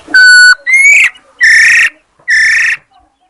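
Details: Female Chinese hwamei recorded on 22 July 2021: a loud, pure level whistle, then a short rising whistle, followed by two harsh, buzzy, drawn-out notes with pauses between them. No other sounds.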